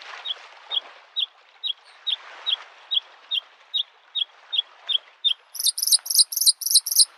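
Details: By a lake in spring a Bluethroat sings: sharp single ticks roughly every half second for five seconds, then a quick burst of loud high buzzy notes, with lapping water behind.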